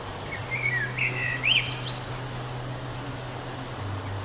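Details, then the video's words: Eurasian blackbird singing at sunset, 9 June 2011: a brief phrase of warbled whistles rising to a sharp high flourish, then quiet, with a steady low hum underneath throughout. "Blackbird's Song"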